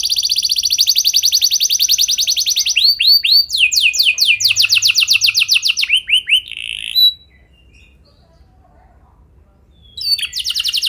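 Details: Canary singing a lure song to set other canaries off: rapid high trill, then repeated curved notes and lower rolling phrases, ending in silence before the song resumes.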